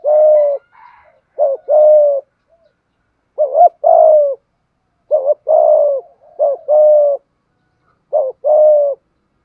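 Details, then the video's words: Spotted dove of Malaysian stock giving thúc gù cooing, a methodical repeated coo. Brief upturned notes are each followed by a drawn-out level coo, in about five pairs with short pauses. Faint higher chatter is heard at the start. "Tiếng chim cu gáy thúc gù, cu gáy malaisia gù thúc bài bản, chim cu gáy thúc gù bài bản"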